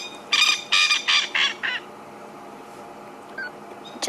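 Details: A male Coqui Francolin in Sabi Sand, South Africa, calling near the end of the day in April, gives a quick run of harsh, rasping notes, answered faintly by another male farther away.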